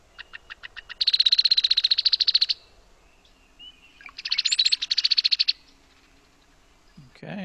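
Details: Brown-headed Cowbird (Molothrus ater) song, quiet and chattery and nothing like a cow: two dry, rapid chattering rattles, each about a second and a half, with a brief slurred whistle between. A voice begins at the end.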